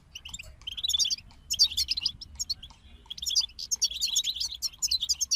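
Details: Twittering European goldfinch song from a group: rapid high chirps and liquid trills come in swelling bursts with short gaps between them. A soft low rumble runs underneath throughout.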